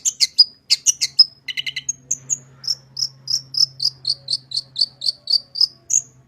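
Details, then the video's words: Long-tailed shrike's mimicking song, a master recording to coax shrikes into song: a few quick chirp clusters, then a steady series of clear high whistled notes about three per second, over a faint low hum. "Burung Cendet Gacor full isian suara paling jernih cocok buat masteran cendet agar cepat bunyi gacor"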